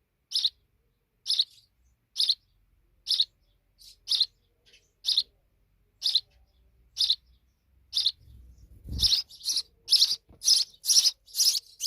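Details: Young sparrows, grown big, chirp at an even pace of about one per second, then after a low thump the chirps come faster and louder in a rapid run.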